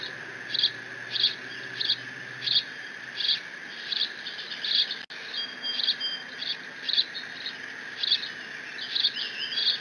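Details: Bald eaglet on the Decorah nest live cam, 30 June 2017, guarding its father's fish delivery: a long series of quick high squeaks about twice a second with a few drawn-out whistled squeals, over constant electronic hum.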